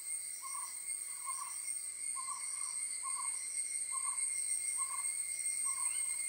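An owl gives short, soft paired hoots, repeated about once a second, over a steady high-pitched insect drone.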